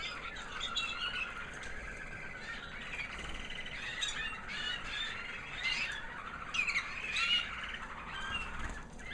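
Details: Proven 2009 American Singer canary hen, white, singing after the molt: a softer stretch of rolling trills and scattered chirps, with a few louder squeaky notes toward the close over low background hiss.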